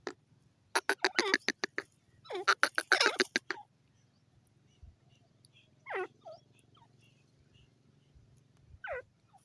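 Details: Francolin producing two rapid rattling volleys of clipped harsh notes, followed by two isolated descending squawks separated by quiet pauses.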